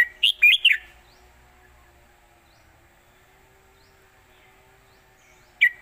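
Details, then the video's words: Red-whiskered bulbul singing an old-style Southern Thai master song, used as a model for teaching birds: one quick burst of three or four bright, bouncing whistled notes, then near silence and a brief final chirp. "ขึ้นจก"จก ควิก ไขว ยอ/สำนวนใต้เก่าๆ/เพลงใต้แม่บท(ไว้สอนนก)"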